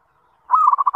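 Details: Zebra dove (perkutut) in full voice, sung as a lure to make other zebra doves answer and start singing: one drawn-out low coo leading straight into a quick string of clipped, throbbing notes.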